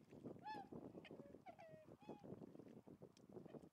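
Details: Tundra swans at Lake Biwa's western shore, Japan, late February 2020, giving three clear, ringing, slightly downslurred honks in quick succession over a steady background of softer flock babble and clucking.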